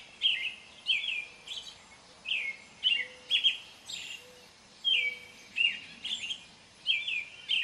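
An American robin sings a run of short, clear caroling phrases, each a slurred whistled rise and fall, with brief pauses and a faint low whistle in the background.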